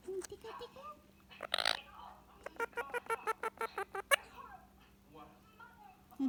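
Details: Relaxing with its owner at evening, a pet Indian ringneck parakeet mutters and then bursts into a fast, even series of a dozen clipped chatter pulses, with softer warbling murmurs before and after.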